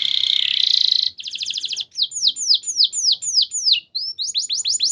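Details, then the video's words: Lure song of a canary, 'gacor' and long-shooting, for training: a dense buzzy trill opens, then a choppier rattle and well-spaced descending whistled slurs, ending in quick repeated sweeps. "Suara Pancingan Kenari Gacor Nembak Panjang"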